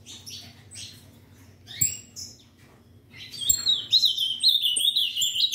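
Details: Ultramarine grosbeak kept by a breeder: scattered high chirps and short whistles at first, then a sustained, fast warbled whistling phrase over the last two seconds, with other small birds chirping around it.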